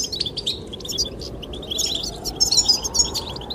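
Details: Goldfinches sing over blowing wind. Thin, high chirps and tinkling trills bunch into two lively bursts, the second one brighter.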